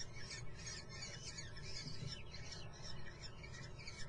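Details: At a kestrel nest in Muttenz, the young keep up rapid, hoarse, rasping calls in an unbroken jumble of overlapping voices, accompanied by a constant low-pitched hum.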